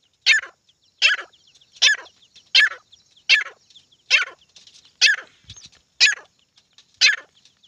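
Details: Grey francolin, called desi titar, giving loud harsh grating notes in a steady series, nine strident bursts roughly every three-quarters of a second with softer scratchy notes between them, no other clear sounds.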